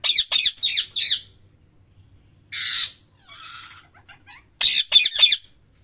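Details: Parrot calling: a run of quick harsh squawks, then a long buzzy rasp and softer scratchy chatter, ending with another burst of sharp screeches.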